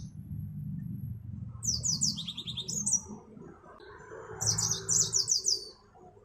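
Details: Yellow-fronted canary, named as the African Mozambique finch: two runs of rapid high chirps, the first stepping downward in pitch, over steady low rumbling background noise.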